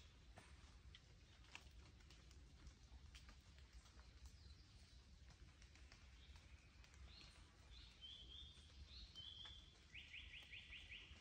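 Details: Mountain forest on Mount Rokko, Japan, 31 May 2022: after several seconds of quiet outdoor noise and faint ticks, a Japanese paradise flycatcher sounds short whistles and then a rapid series of repeated notes near the end.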